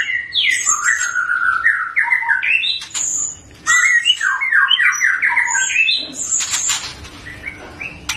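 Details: A very young Medan-type white-rumped shama, already singing strongly, gives rich, fluty phrases of slurred, stepping whistles, broken by high sharp notes and a harsh, scratchy burst near the end.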